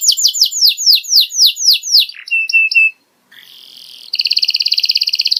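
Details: Canary tutor song for juveniles: a run of fast falling chirps, then short steady whistles, a silent break, and a harsh buzzing double-toned trill to the end.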